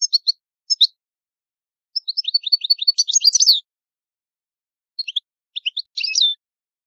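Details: Old-style song of an Italian goldfinch: a few sharp chirps, then a quickening series of twittered notes building to a dense jangling burst, followed by sparse chirps and a short buzzy phrase.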